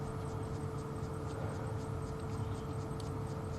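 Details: Idling vehicle engine drones steadily with a constant low hum and no audible animal sounds.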